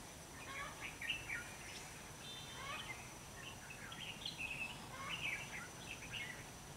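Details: Bell-voiced red-whiskered bulbul singing as a decoy during bird trapping on 27 November 2016. Quiet, bright, warbling phrases are repeated every second or so, with a thin steady high tone and faint hiss behind.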